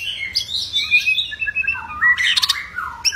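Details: Agitated white-rumped shama singing aggressively to provoke other shamas into song: fluid, warbled whistles sliding down, then a burst of harsh, buzzy notes.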